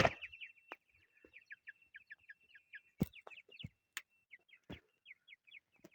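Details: Chukar partridge chicks; a steady run of short, high peeping notes, several each second, broken by sharp knocks and clicks.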